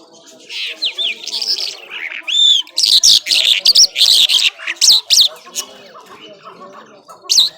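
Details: Irani Mashadi jhal skylark singing: a few sliding whistled notes, one clear rising whistle, then loud choppy bursts of harsh, buzzy high phrases, followed by quieter scattered notes and a final sharp burst.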